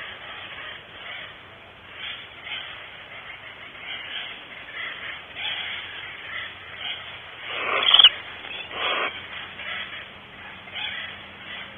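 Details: Barn owls at their nest at Starr Ranch at 5:45 am on 5 August 2013, picked up by a live nest camera; soft breathy noise pulses, then two louder rasping hiss bursts near the end.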